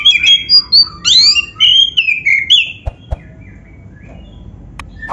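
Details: Oriental magpie-robin, black-breasted type, in full song used to prompt other magpie-robins: a dense two-second stream of bright whistles, high sweeps and downward slurs, then soft clicks and a quiet tail.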